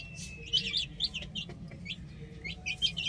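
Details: Baby chickens on a rooftop peep in bright, brief bursts, a handful of sharp chirps clustered together with pauses between, a constant low rumble underneath.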